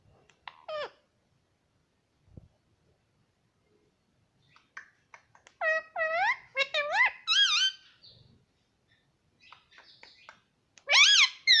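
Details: Pet baby parrot producing scattered short squeaks, then a burst of loud wavering, up-and-down harmonic squawks, a pause with faint chips, and a final run of high shrill screeches.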